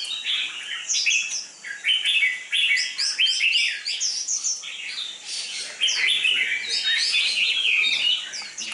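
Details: Red-whiskered bulbul being conditioned for singing contests, noted for a fierce fighting temperament: busy runs of lively chirps and slurred whistles in bursts of one to two seconds, denser and louder in the second half.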